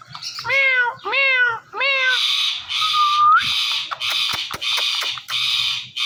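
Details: Talking pet parrot calling "Mithu Mithu": three quick, voice-like syllables with wavering harmonics, a short rising whistle, then a stretch of loud, broad hissing noise.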